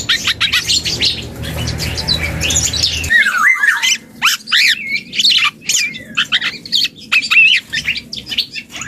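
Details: Young black-and-yellow oriole learning to sing: a rambling mix of harsh squawks, chatters and short whistled slurs, some falling, in bursts with brief pauses. A steady low hum fills the first three seconds.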